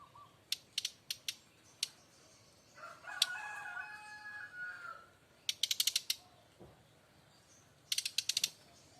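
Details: Loud kretekan from a Bali brown-chested jungle flycatcher, called a fighter: scattered sharp clicks, a harsh tonal rasping phrase in the middle, then two rapid rattling click bursts.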